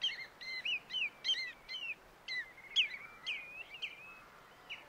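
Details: Pied avocet calling at Titchwell Nature Reserve in September 2016: a rapid run of loud, clear, liquid notes, each slurring downward, about two per second, growing more drawn out and spaced toward the end.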